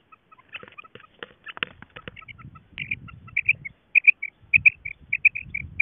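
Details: Female quail giving short, bright paired notes that become a steady series from about halfway, repeated roughly twice a second, over a low rumbling background noise and a few faint clicks early on.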